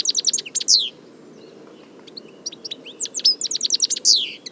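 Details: European goldfinch song in nature: clear bursts of quick, bright chirps and descending buzzy slurs, a brief quiet pause, then another lively run of rapid tinkling notes over faint low hum.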